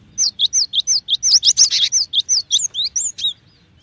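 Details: Cinereous tit delivering a long, even series of two-note whistled phrases, bright and rhythmic, a few notes briefly overlapping with harsher chirps midway.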